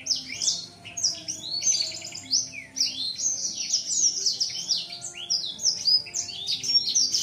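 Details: Caged young male black-throated laughingthrush, seven months old, voice not yet mature, opening its wings on seeing a female; a dense, continuous run of high, varied chattering and warbling phrases with quick whistled slurs and trills, with no pauses.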